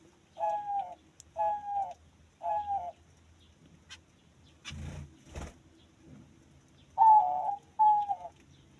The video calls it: Diamond dove singing